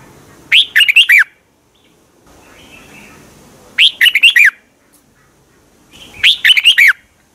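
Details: Red-whiskered bulbul song from Thailand, used for training caged birds or played to excite them: three short, bright, warbled phrases of four to five quick, slurred notes, repeated about every three seconds, with quiet gaps between.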